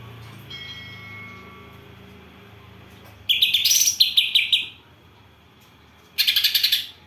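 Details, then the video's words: Greater green leafbird singing a song filled with house sparrow imitations: after three quiet seconds with faint thin whistled tones, two loud bursts of rapid, harsh, chattering chirps follow, the second short and evenly pulsed. "Cucak ijo isian Gereja vs Kapas Tembak"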